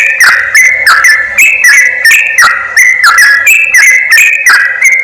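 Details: Lure recording of yellow-vented bulbuls for drawing in wild birds: busy, bubbling whistled phrases tumbling rapidly, notes stepping up and down, loud with crackly click onsets.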